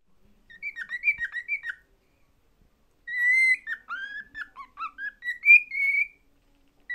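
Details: A pet cockatiel, excited by a favourite mirror being shown and hidden, sings a clear whistled tune in two phrases of quick warbling notes around a high pitch, some rising and sliding, with a brief pause between.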